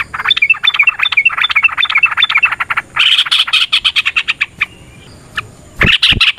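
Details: Yellow-vented bulbul in nrotok and ngecuplik song variations, played as a lure to make other bulbuls sing: rapid rolling chatter of clipped notes with brief whistled inflections, then a denser burst of harsh, fast notes.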